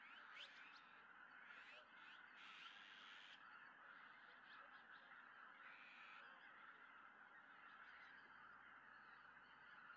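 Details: Large flock of wild greater white-fronted geese in early December at a Tohoku lake in Japan, returning together at evening as a peregrine falcon looks on. Constant massed honking, topped by several shrill, higher yelps early on and again near six seconds.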